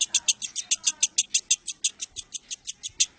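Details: Caged competition lovebird, 19 January 2018: fast, evenly spaced high chattering pulses, roughly five per second, over low background rumble.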